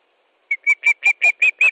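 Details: Osprey at its Estonian nest, 13 July 2013, 17:58, as fish is delivered: after a brief pause, seven sharp chirps follow quickly, growing slightly louder.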